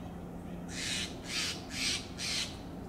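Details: Steller's jay giving four harsh, rasping calls, evenly spaced about every half second, over a low steady hum and background hiss.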